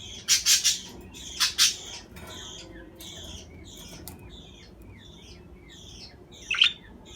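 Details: Budgerigar chattering: two loud scratchy bursts open, then a steady run of short, clipped chirps repeated about once a second, ending with another harsh burst.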